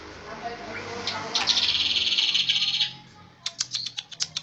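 Striated Grassbird giving a fast, high buzzy trill for about a second and a half, then a run of sharp, clipped whistled notes.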